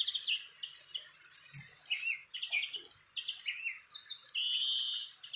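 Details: Fantail at its nest in the wild: bright whistled chirps in short phrases, some notes dropping in pitch, coming in quick bursts about every half second, ending with one longer, steady whistle.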